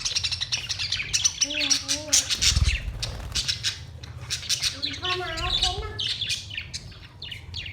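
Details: Budgerigars singing on 22 May 2023, a dense chatter of short chirps and squawky notes with a few clear warbled whistles near the start and middle, over a low steady hum.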